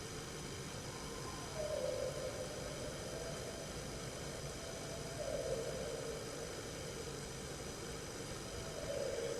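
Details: A Barred Owl caterwauls in woods about a quarter mile from a small lake, on a long unattended overnight recording. It gives three wild, wavering hoots that start high and slide down, a few seconds apart, under steady hissing background noise.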